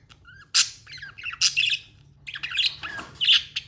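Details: Pet budgerigar chirping: bursts of bright warbling and squawky notes between 1 and 8k, with short harsh chips and brief quiet gaps, a faint low hum underneath.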